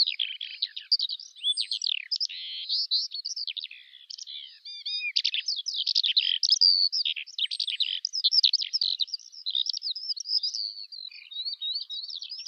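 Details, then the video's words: Long unbroken Eurasian skylark song: dense, rapid twittering, buzzy trills and sharp chirps, slightly softer in places, continuing throughout with a clean background. "Жаворонок полевой (Alauda arvensis) *** Пение птиц"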